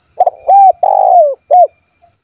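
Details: One phrase from a spotted dove calling out to rival birds to make them sing: stuttered opening note, steady coo, long coo gliding down, short final coo.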